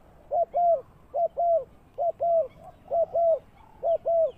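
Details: Lure spotted dove for bird trapping, kept at ground level, cooing steadily in two-note phrases, a brief coo followed by a drawn-out rolling coo, five phrases spaced under a second apart, little other sound.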